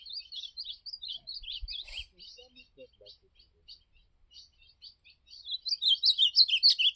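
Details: Ultramarine grosbeak giving campeada song, a quick series of sweet, wavering whistled notes, some short and chipped, that thins out mid-clip and returns louder and faster at the end; a brief knock is heard near two seconds.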